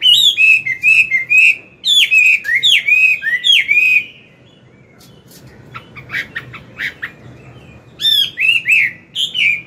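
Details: Chinese hwamei, an old wild-caught bird, singing in the morning to train a young bird: fast strings of clear whistled notes, a quieter stretch of scattered chips, then loud whistled phrases resuming.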